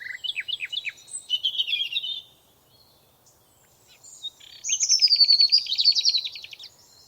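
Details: Birds singing in a forest: quick downslurred chirps and a warbled phrase, a pause, then a high rapid trill of even notes with a whistled line above it.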